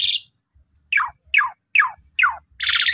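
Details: Young Asian pied starlings singing, used as a lure to train other starlings: a buzzy rattle, then four steeply descending slurred notes about every 0.4 seconds, ending in another rough buzzy burst.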